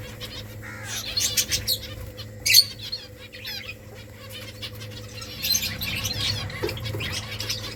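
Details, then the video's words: Rice-eating finches give sharp, high chirps in loose clusters, some short downward notes among them, accompanied by fluttering, pecking and a faint steady hum. "Beautiful finches eating rice 🍚 birds chirping sounds"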